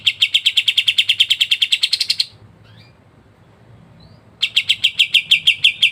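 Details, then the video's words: Kapas tembak white-eye in ngebren rapat song, a dense run of roughly twenty quick bright chirps accelerating slightly, a silent gap of two seconds, then another rapid series of clipped chirps. "KAPAS TEMBAK GACOR NGEBREN RAPAT"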